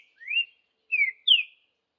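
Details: Green-winged saltator in the wild, Vidigal song: three clear whistled notes, a rising slur, a falling note, then a loud steeply falling whistle, in near silence.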